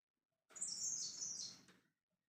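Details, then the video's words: Ngekek calling from a lovebird aimed at getting other birds to respond: a sustained shrill, grating screech around a second and a half, wavering slightly in pitch, over quiet low background noise. "Love bird ngekek memanggil yg lainnya"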